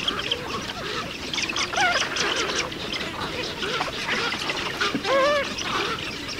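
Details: Eurasian spoonbill at the nest with chicks in a breeding colony, Ag-Gol National Park, Azerbaijan, 2013–2014: a busy chorus of overlapping nasal calls, with one loud, arched, harmonic call near the end standing out above the colony murmur.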